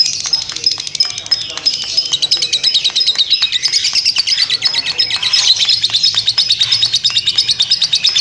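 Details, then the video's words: Lovebird in long ngekek, a continuous chattering song style: rapid, high, buzzy chirps repeated about three times a second, running without a break and overlaid with thin whistled notes. "burung lovebird ngekek panjang"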